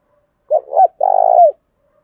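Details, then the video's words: One clear cooing phrase from a spotted dove decoy used to provoke wild birds: two brief hooked notes, a short pause, then a long, buzzy, pulsing coo that slides down at the finish. "Chim Cu Mồi thúc rất sung dùng kích bổi thì phải nói rất hiệu quả"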